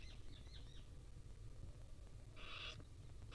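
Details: Wild barn owl chicks, tiny young being gently fed by their mother, give a short broadband hissing burst partway through and another at the end, with faint chirps of other birds early and low background rumble.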